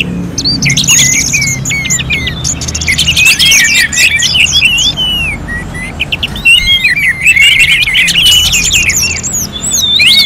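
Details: Orange-headed thrush song in a contest-simulation style recording from North Bali, Singaraja: dense, continuous high warbling of quick whistled slurs, chirps and rising notes, overlapping throughout with only a brief lull near the middle.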